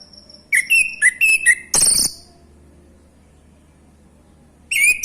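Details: Male orange-headed thrush song used as a lure to provoke other birds to sing: a quick run of clear whistled phrases dropping in pitch, a harsh burst, a pause, then another whistle, with a steady high tone behind.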